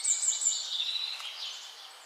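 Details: Dense high bird chatter: very high thin whistles over a blur of chirps and trills that slowly fades.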